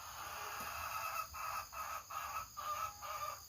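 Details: A hen kept in the coop on a morning with rain forecast gives loud, repeated clucking squawks, about two to three a second in uneven bursts, over steady hiss: an egg-laying call, one female announcing she is about to lay and telling the flock to stay away.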